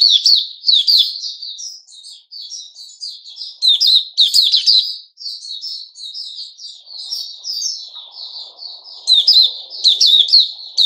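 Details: Caged sooty-headed bulbul on 10 July 2021 singing continuously: loud chattering bursts alternate with softer, bubbling runs of high, clipped notes; faint low murmur in the background.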